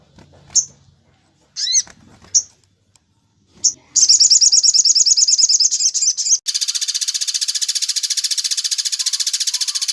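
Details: Crimson sunbird recording meant to teach other birds its song, in the tembak cililin style: scattered sharp descending calls, then a high rapid chattering trill that becomes a continuous buzzy stream.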